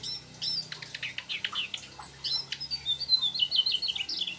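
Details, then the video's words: Mugimaki flycatcher singing actively, delivering a rapid, high twittering warble of sweet chirps, short buzzes and thin whistles that runs on without pause, with a faint hum beneath. "Sikatan mugi maki gacor ngerol bongkar isian trucuk"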